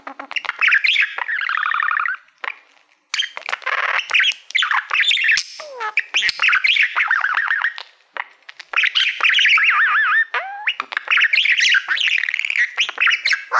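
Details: Male pet budgerigar that loves mirrors, singing to a reflective plaque indoors: long bouts of fast chattering warble with wavering whistles and harsh buzzes, broken by brief pauses.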